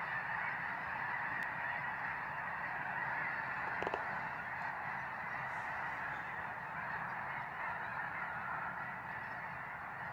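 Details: Large flock of snow geese producing a constant wall of overlapping honking calls, no gaps between voices, with a single sharp click near the middle.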